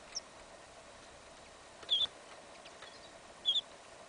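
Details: Goldfinch-canary hybrid, yellow isabella colour, tested in a field in winter: a faint high note, then two loud, clear, sharp double chirps about one and a half seconds apart against quiet hiss.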